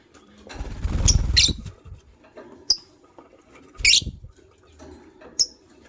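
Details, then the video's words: White lovebird pair in the morning: a few sharp, harsh, high chirps spaced a second or more apart, with soft thumping and rustling from the birds moving about the cage between calls. "White LoveBird Chirping Sounds"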